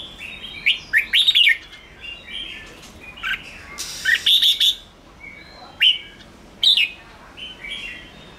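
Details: Agitated red-whiskered bulbul in 'ché' chatter style, meant to excite young or wild birds: loud clusters of sharp chirps and raspy buzzy chatter in bursts every one to two seconds, quieter sliding whistles in the gaps, low steady hiss behind.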